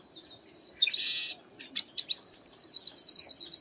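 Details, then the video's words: Garibaldi, or Baia de Chiqueiro, the chestnut-capped blackbird, singing: high whistled slurred notes, a harsh buzzy rasp lasting a third of a second, a short pause, then a rapid string of bright repeated notes that ends in pulsed stuttering phrases. "Garibaldi Cantando"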